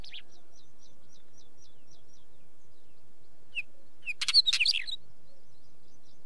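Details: After a quiet run of thin, evenly repeated high ticks from another bird, a wheatear bursts in with a brief, loud, scratchy phrase of harsh squeaks and chatter.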